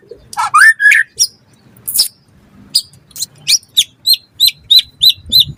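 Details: White-rumped shama, caged, used as a training tutor for songbirds, opening with rising whistles and scratchy notes, then a steady series of sharp high hooked chips repeated about three times a second.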